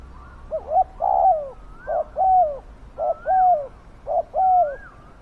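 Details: Spotted dove kept as a decoy to lure wild doves, calling with a loud, deep voice: each phrase is a short low coo then a longer falling coo, repeated about once a second, four phrases with a quiet background.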